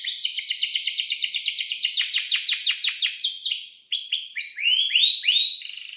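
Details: Atlantic canary in full song, a kenari used as a tutor for juveniles: rapid repeated downswept notes about three per second, slowing into looping rising whistles, ending in a soft buzz.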